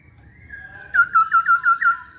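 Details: Masked laughingthrush giving a soft lead-in whistle, then six quick, evenly spaced whistled notes of similar pitch, each swelling and fading.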